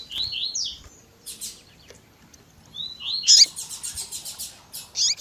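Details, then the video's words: Double-collared seedeater singing the 'tui tui zel zel' style alongside female piping: rising whistled notes, a brief buzzy burst, then more slurred whistles sliding into a rapid buzzy trill with sharp chips. "COLEIRO TUI TUI ZEL ZEL COM PIADO E CHAMANDO DE FÊMEA MUITO QUENTE CHAMANDO E MACHEANDO MUITO."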